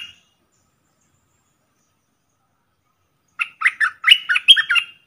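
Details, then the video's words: Streak-eared bulbul used as a caged decoy bird, calling while wild birds circle overhead without coming down: a quick burst of bright, jumbled chirpy notes after a long silence, with a brief note at the very start. "เสียงต่อนกกรงดอกแตงEp.52 Birds sounds นกต่อ เจ้าแบงค์ นกป่ามายั่วไม่ยอมลง!!Suara merbah lekir"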